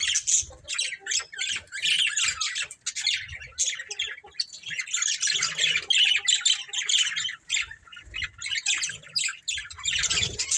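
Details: Continuous squawky chatter from a budgerigar breeding pair: rapid, high, scratchy chirps with only brief pauses, running the whole time.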